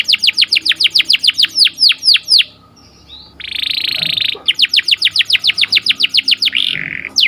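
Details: A canary's morning song: a rhythmic run of sharp downslurred notes about five per second, a brief pause, a rich buzzy trill, another rattling series, and a closing twisted warble.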